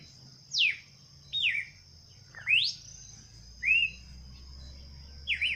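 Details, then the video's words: Songbird delivering separate clear whistles, some sweeping down, one swooping upward, others short and looping, about one per second, against a constant high tone and light low rumble. "Canto de pássaros"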